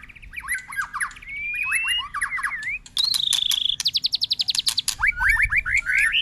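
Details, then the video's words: White-rumped shama flicking its tail on the perch while delivering a long continuous song with constant voice changes: sliding whistles, then a fast series of rapid repeated notes, then chattery upslurred phrases over a low background hum. "Chòe lửa đập đuôi sàn cầu kèm hót dây dài kéo đảo giọng liên tục"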